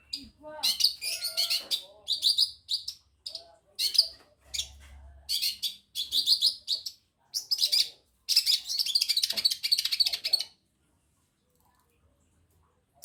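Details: Madura long-tailed shrike singing with imitations of other birds: dense bursts of fast, high trills and chattering notes in phrases a second or two long, separated by short pauses, ending in quiet.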